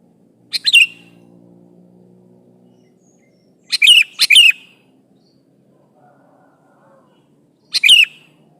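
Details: Sooty-headed bulbul calling out to a rival, meant to provoke other bulbuls into answering: brief bubbly phrases of rapid chirps sliding into a short whistle, one early, a close pair midway, one near the end, faint low hum between.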